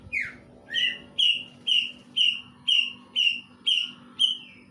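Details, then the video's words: Greater green leafbird song imitating a kingfisher, a series of nine loud clear whistled notes, each level then slightly falling, repeated about every half second with even rhythm. "Cicak ijo materi cekakak udang"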